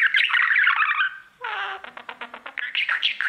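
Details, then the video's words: Budgerigar, a male, singing to his mirror: a busy scratchy warble, then a run of quick, evenly pulsed clicking chatter, then higher chirps and squeaks at the close. "3 Hour Budgie sounds | Cookie and his Mirror singing"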